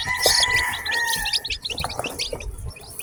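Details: A batch of newly hatched farm chickens calls constantly. Dense, high, clipped chirps come several per second, with a steady, lower drawn-out tone running beneath them for the first half.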